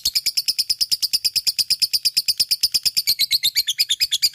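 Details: Lovebird, fighter style, singing full ngekek: a fast machine-gun chatter of high, slightly wavering notes, regular and relentless, the pitch dipping a little near the end.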